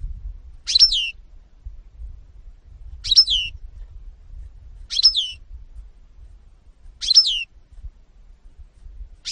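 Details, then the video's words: European goldfinch giving a single high, down-slurred call note, repeated about every two seconds in an unhurried series, with only faint low background noise between calls. "-ΚΑΡΔΕΡΙΝΑ-Carduelis carduelis (European Goldfinch 2018)"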